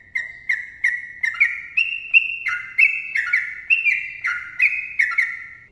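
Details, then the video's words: Yellow-vented bulbul in a long, lively song used as a tutor and lure recording: bright, bubbly whistled phrases of two or three slurred notes, stepping up and down, delivered quickly and almost continuously. The background is quiet. "TRUCUKAN GACOR ROPEL PANJANG MBONANG SUARA RAPAT MASTERAN TRUCUKAN TERBAIK UNTUK PANCINGAN TRUCUKAN"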